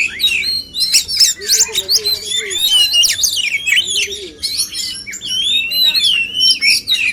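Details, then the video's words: Male oriental magpie-robins singing against each other so they sing more and show their full repertoire: dense, varied whistles, trills and sharp slurred notes overlapping continuously, with a lower wavering warble appearing twice in the background. "adu kicauan burung kacer jantan"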